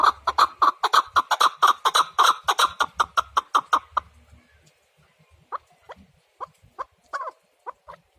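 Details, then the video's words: Chukar partridge delivering a loud burst of quick repeated chuk notes for about four seconds, then falling silent before a few softer, spaced clucks. "Кабки сурак кариб маст шавад Keklik الحجل Куропатка Partridge"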